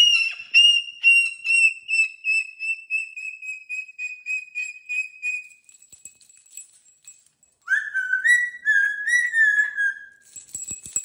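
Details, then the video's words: Caged pet cockatoo playing with new jingly toys on the cage. A long series of quick, evenly spaced whistled notes slowly falls in pitch and fades. After a short near-silence comes a wavering whistled phrase, then a brief jingle. "Fun Talking, Silly Wing Waves, Woo Woo Woo!!!"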